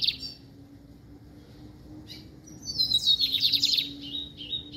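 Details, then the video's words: Brown-plumaged lined seedeater: a short high note, a pause, then high slurred whistles leading into a rapid buzzing trill and a few clear sustained whistles; steady faint low tone in the background. "Bigodeiro PARDO cantando"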